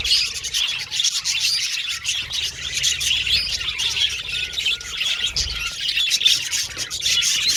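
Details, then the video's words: Budgerigars singing together in a dense, high-pitched chatter of chirps and squeaks, interspersed with quick clicking notes and a few short whistled slurs. "Budgies Chirping Sound"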